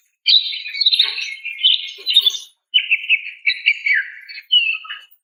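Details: Female greater green leafbird calling a male: a dense, scratchy warbling burst, then after a short break a rippling trilled phrase and a final slurred whistle.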